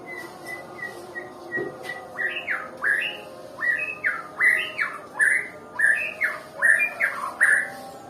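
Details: White-rumped shama of the Nias type, described as reluctant to sing: a run of short even notes near one pitch, then louder swooping whistles that rise and fall, repeated roughly twice a second.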